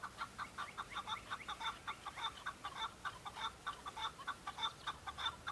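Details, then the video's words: Chukar partridge males on Bamo mountain in Kurdistan, calling while fighting and displaying to females during breeding season; fast series of clucking chuck notes, roughly 100 a minute, several birds overlapping in a continuous chorus. "شەڕە کەو - دەنگی کەو - معرکة بين الطيور حجل- کبک - صوت حجل - Chukar partridge fighting -Chukar call"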